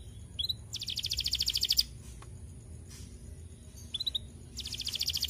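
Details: Canary song used to stimulate lazy canaries to sing: two bursts of fast pulsed high trills, each preceded by short chirps, separated by a pause with faint background noise and a steady high tone.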